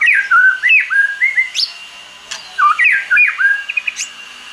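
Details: White-rumped shama singing in forest style, used for song training: rich whistled phrases sliding between low and high notes, with short warbles and sharp upward sweeps, two bursts separated by a brief pause.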